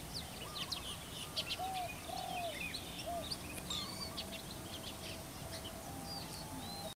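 Green bee-eaters in a flock give short, high chirps and trills, overlapping from several birds. Lower whistled notes from another bird come and go beneath them.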